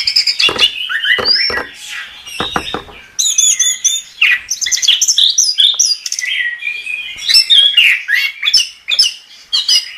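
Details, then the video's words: Chestnut-capped thrush in gacor song, opening with sharp ticking notes, then a long busy string of high twittering, buzzy trills and slurred whistles delivered almost without pause. "Suara Burung Anis Kembang | Gacor"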